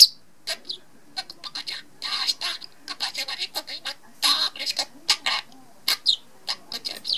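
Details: Male pet budgerigar chattering in its sleep: a dense, fast stream of buzzy warbles, squeaks and gravelly mumbled phrases, with a few sharp chirps, recorded indoors with no other clear sounds.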